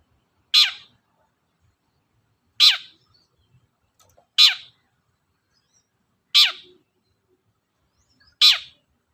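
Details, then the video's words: Long-tailed shrike (cendet) sound for provoking other birds into song: five harsh, rasping descending notes spaced roughly two seconds apart, each brief and sharp, over near-silence. "suara pancingan burung cendet"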